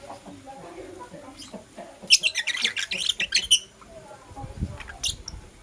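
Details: Morning chirping from blue opaline and parblue euwing opaline lovebirds: a dense burst of rapid, harsh high chirps in the middle, then softer scattered notes, with faint low rumbling underneath.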